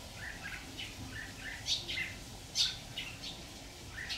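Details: Red-whiskered bulbul at a decoy trap, 26 October 2019: repeated short chirps at an irregular pace, roughly one a second, with a few louder, harsher notes amid faint background hum.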